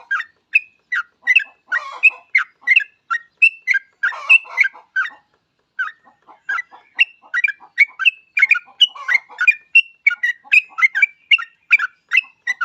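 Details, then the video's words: Yellow-vented bulbul singing to lure other bulbuls into song: rapid chattering run of short bright whistled notes mixed with throaty bubbling bursts, with a brief pause near the middle before the steady outpouring resumes. "Trucuk gacor ini paling cocok buat pancingan trucuk lain agar cepat bunyi"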